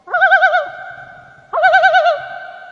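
A loon gives two rapid, quavering tremolo bursts, each about half a second long and trailing into a steady mid-pitched tone. No other sounds are heard.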